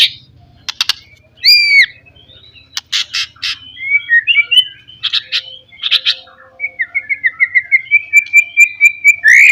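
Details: White-rumped shama, a Pastol-style provoking song meant to stir rivals: sharp rising whistles, harsh buzzy bursts and a long run of quick repeated chips near the end, with faint low hum underneath.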